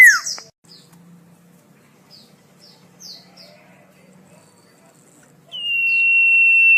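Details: Common iora (cipoh/sirtu/sirfu) song for tutoring songbirds. A falling slurred note opens, followed by soft, sparse, high chips with quiet gaps. At the end a bright sustained whistle begins and holds steady.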